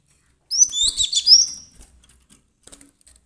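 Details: Agitated cinereous tit, used as a lure for trapping birds: a brief flurry of very high, thin twittering notes with a few sweeping whistles lasting about a second, followed by faint clicks and near silence.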